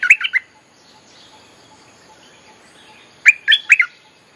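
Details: Streak-eared Bulbul song used as a lure for wild birds: a tight triplet of loud, sharp chirps, a long near-silent gap with faint distant whistles, then another crisp three-note burst.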